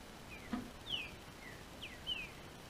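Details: Captive double-collared seedeater in southern Brazil, singing as the weather warms: about five short, high, down-slurred whistled notes under a second apart, over a steady hiss and one low knock.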